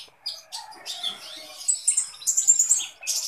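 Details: A Kolibri Ninja sunbird, singing eagerly, gives high scratchy twitters that build into a shrill, fast trill of piercing notes near the end.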